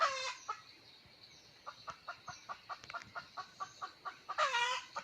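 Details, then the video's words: Red junglefowl, recorded 17 March 2020, opens and closes with a brief ringing crow that falls at the end; between them comes a regular series of short soft clucks, roughly three per second, over background hiss. "Nqa poj mu cuab tu lau qaib qus qua zoo tshaj plaw lisไก่ป่าขันม่วน"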